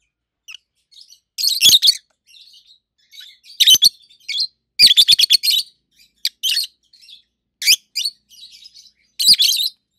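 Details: Pair of adult caged rosy-faced lovebirds, red-head green opaline and white-head pallid aqua opaline, chirping loudly: shrill, harsh high bursts repeated every second or two, with quieter twittering notes between.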